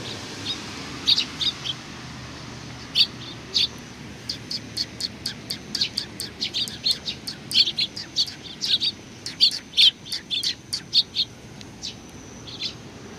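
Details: Sparrows gathering to greet on 27 July 2020: a lively, continuous run of sharp, high chirps from several birds overlapping throughout, with a faint low background rumble.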